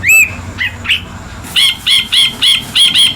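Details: Ashy bulbul, or brinji kelabu, opening with a few clear rising whistled notes, then a fast run of six bright, evenly spaced chirps, about three per second.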